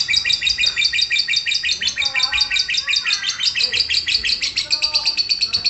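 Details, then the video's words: Lovebird singing in the ngekek style right after being prompted: a fast, continuous chatter of harsh, high chirps, about three per second, with faint lower whistled tones underneath. "Cek - cek cer Lovebird langsung ngekek"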